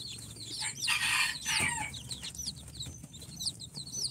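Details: Chicks hatched in an incubator, on their fourth day, of Sultan, Golden Sebright, Cochin and booted breeds, peeping rapidly with high curved notes and a brief louder, harsher burst near the start, over steady background hum.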